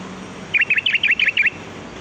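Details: Sooty-headed bulbul (kutilang) heard in the wild as a lure call: a quick run of seven clipped, chirpy notes delivered evenly within one second against soft steady background noise.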